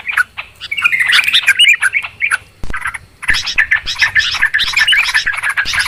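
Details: Restless, noisy calls of Yellow-vented Bulbuls, used as a clear lure for trapping birds: clustered harsh chirps and twitters, a short lull, then another busy burst of chattering.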